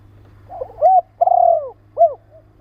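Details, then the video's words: Spotted dove recorded for training and stimulating birds: one phrase of soft lead-in notes, a clear hooted coo, a long rolling vibrating coo and a short arched closing note, with a faint low hum behind. "Tiếng chim cu gáy kích bổi,tập bổi nhanh nổi hiệu quả"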